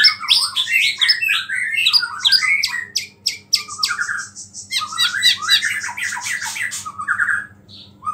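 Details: White-rumped shama singing small-bird phrases to provoke other shamas: dense, fast, harsh chattering notes and squeaks tumbling over one another, with a brief gap midway and a low hum underneath.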